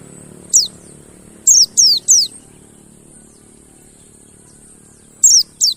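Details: Mountain white-eye calls used as a lure so other birds start singing: piercing high down-slurred whistles, one, then a quick run of three, then a long gap before two more.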